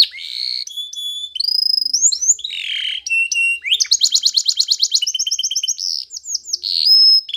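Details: Spanish Timbrado canary in training song, mixing clear whistled notes, swooping slurs and long rapid metallic trills, delivered continuously and loudly.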